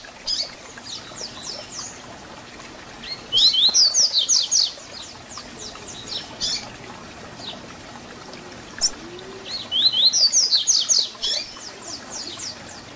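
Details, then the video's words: Double-collared seedeater song in the 'Tui Tui Zel Zel' fibra style for teaching young birds: two loud phrases of fast, high, sharply slurred notes, about seven seconds apart, separated by quieter scattered high strokes. "Papacapim Tui Tui Zel Zel Canto FIBRA para Encarte!!!"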